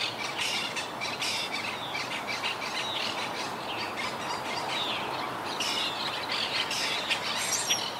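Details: Wild Quaker (monk) parakeet colony nesting high in trees after hurricane Irma: continuous overlapping harsh squawks and chattering from many birds, with steady background noise.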